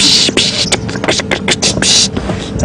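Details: Red-billed oxpeckers calling frantically during a morning safari drive at Djuma Game Reserve, South Africa, 16 September 2015: harsh hissing rasps in rapid bursts over engine rumble; a sound indicating buffalo or rhino nearby.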